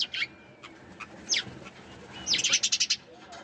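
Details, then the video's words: Scattered sparrow chips and a falling note give way to a quick run of about eight rapid, bright chirps near the end. "Sparrows Chirping Sound"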